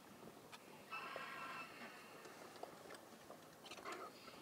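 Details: Juvenile White-headed Vulture at Occipitalis Station, Saruja, Gambia: one harsh, harmonic squealing note lasting under a second. Faint scattered clicks and taps follow over a quiet, hissy background.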